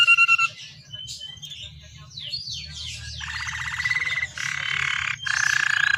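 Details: Canary song used as a lure recording to get captive canaries singing, with a luxurious ornamented style; whistled tones, rapid descending sweeps and long buzzy rattling trills, with a low background hum.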